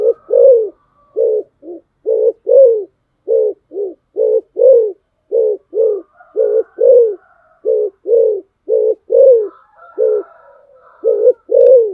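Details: Decoy spotted dove calling persistently, a long run of paired low coos, short note then longer hoot, about twelve pairs in twelve seconds at an even pace, with faint higher chatter in the background.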